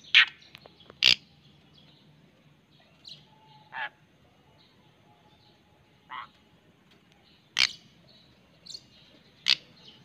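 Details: White-rumped shama, a beloved pet bird, calling in brief sharp chirps and clicks spread irregularly across ten seconds, several high piercing notes with lower burry ones between, against a quiet hum.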